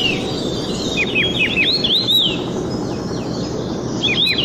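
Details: Red-tailed minla, Minla ignotincta, singing short high whistled notes, each sharply rising then falling, given in quick runs, over a steady low background hum.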